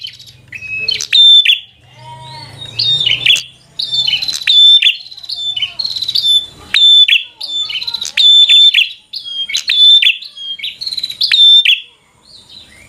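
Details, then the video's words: Bar-winged prinia in full, nonstop 'fighter' song meant to anger a rival. Loud phrases of sharp clicking snaps and bright whistled notes come in bursts about every second and a half, with a brief low hum near the start. "Prenjak Gacor Full FIGHTER Bikin Prenjak Jadi Emosi Lawan"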